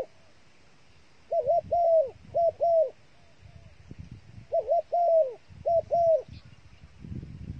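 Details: Cooing of a bait dove: groups of two or three hooting notes with downward tails, phrases about three seconds apart, over faint low background rumble.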